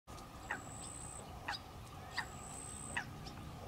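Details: Female common pochard watchfully guarding her ducklings as they feed on small water insects; short sharp calls sound about once a second, four in all, over a steady high thin whine.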